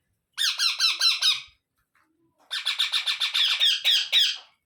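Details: Begging Indian ringneck parrot chicks, fed one after another by an adult bird: a short burst of harsh pulses, a pause, then a longer run of rapid, grating chatter.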